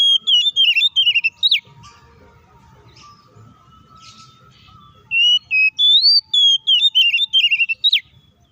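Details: White-rumped shama singing a fighting song to stir other shamas: bursts of rapid, twisting whistled phrases at the start and end, separated by a quiet stretch with a steady faint tone and low rumble.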